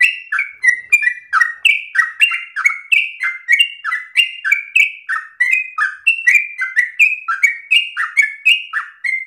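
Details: Fast, persistent yellow-vented bulbul song with long breath and easily copied phrasing: bright whistled notes in a steady stream of about three or four per second, alternating slightly higher and lower, nothing else audible.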